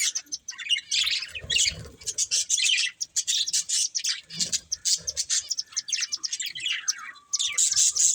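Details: Budgerigar breeding pair keeps up a continuous warble of buzzy, high twittering notes packed closely together, pausing briefly around three and seven seconds, with a faint low hum beneath.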